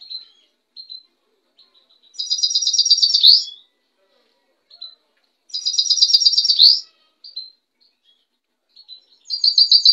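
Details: White goldfinch singing: soft scattered notes, then a loud, fast, evenly pulsed high trill ending in a bright sweeping flourish, repeated about every three and a half seconds in a quiet setting.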